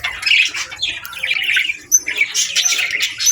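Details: Budgerigars warbling in the afternoon, a brief burst of scratchy chirps and twittering notes with a few sharp high whistles, voices overlapping.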